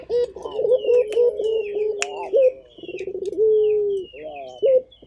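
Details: Vigorously calling local puter, a turtle dove from Indonesia, giving deep rolling coos that hold a long level tone before a sharp rising hook, repeated about every two seconds, with a high chirping bird behind.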